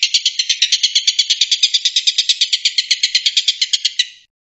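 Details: Stork-billed kingfisher delivering the 'tembakan' call prized in bird contests, used to tutor white-rumped shama. Rapid grating notes, about seven a second, form a harsh rattle lasting four seconds before cutting off.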